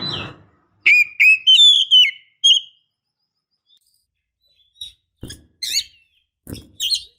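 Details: Female Oriental magpie-robin calling to provoke males: a short run of pure whistled notes climbing in pitch, then a gap followed by scattered soft high chips and clicks.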